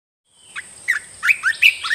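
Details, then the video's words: Caged red-whiskered bulbul song used for training birds: a short, lively phrase of five or six clear whistled notes, each swooping up and down, close and loud. "เสียงนกกรงตาแดงEp.5 เหมาะสำหรับต่อ"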